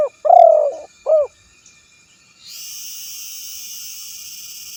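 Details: Spotted dove calling a rival, recorded for luring: a long trembling low coo and one short coo, then a steady high hiss for the rest of the recording.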